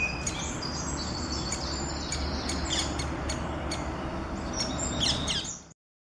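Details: Juvenile great spotted woodpecker (Dendrocopos major) giving a rapid, high, scratchy chatter of short notes over a heavy low rumble of wind or distant traffic.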